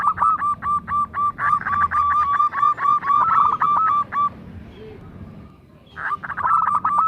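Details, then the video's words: Local zebra dove, a keen singer kept to lure others into calling, pours out a dense run of hooked cooing notes, pauses briefly with a faint low note, then starts again. "perkutut lokal gacor bekur kerot manggung"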